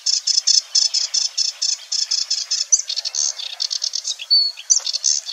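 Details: Sedge Warbler in song, a fine imitator, at Wetering West in Overijssel on 6–7 May 2022: a run of repeated scratchy high notes, then mixed chatter with a thin sustained whistle and quick rising slurs.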